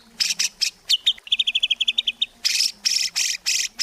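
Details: White-rumped shama singing vigorously as a lure for other shamas: a few harsh buzzy notes, a rapid rattle of clear high chips, then several loud rasping bursts at about half-second spacing.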